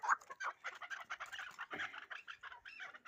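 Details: Hybrid fighting chukar partridge uttering a fast, rhythmic string of coarse chattering notes, several per second, with one sharper note at the start.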